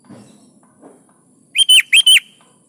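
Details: Kutilang (sooty-headed bulbul) singing in 'gacor' style, meant to coax lazy birds into singing: after a quiet start with soft rustles, one loud phrase of four rapid, liquid whistled notes.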